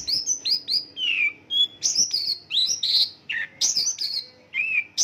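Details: Mongolian lark isian lokalan song: varied sequence of high slurred whistles, descending buzzy notes and brief chirps, given in short separate phrases with small gaps between.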